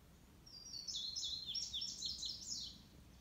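Indigo Bunting song: a bright, high, two-second run of sharp, often paired notes, sliding up and down, over a faint low rumble.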